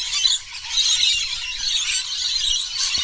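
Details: A flock of over 100 lorikeets gathered for the daily bird feeding at a bungalow park on Burrill Lake, near Ulladulla on the South Coast of New South Wales. A child plays among them. Dense, continuous shrill screeching and chattering from many birds overlap throughout.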